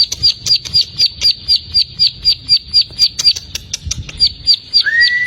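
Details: Untrained plain prinia singing in the rapid ngebren style: sharp high ticking notes repeated steadily about four times per second, closing with a single rising whistled note.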